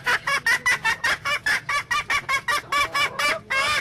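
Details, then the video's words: Female junglefowl, a hen, giving a fast series of harsh, nasal clucks, about fourteen short bursts in under four seconds, rising slightly in pitch, with a longer final note. "suab poj qaib qus seev zoo"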